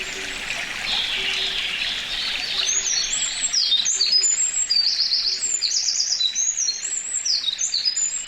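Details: Eurasian wren singing in May 2019 at Karuizawa Wild Bird Forest, Nagano, Japan, captured with a binaural microphone: a rapid, very high, ringing cascade of trills and sharp notes pours out loudly over a steady rushing stream.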